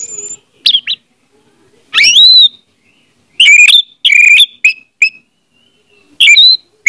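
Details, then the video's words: Orange-headed thrush song played as a lure to get a silent bird singing: loud whistled phrases with rising slurs and harsher buzzy bursts, spaced by gaps of about a second. "audio suara anis merah || pancingan ampuh untuk ania merah membisu"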